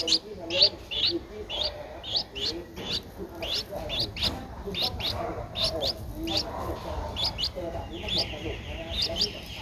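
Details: A 12-day-old Streak-eared Bulbul nestling, whose eyes opened at 7 days, gives short, sharp, high chips about twice a second at an uneven pace, over low rumbling and faint voices; Ubon Ratchathani, Thailand, 14 April 2023.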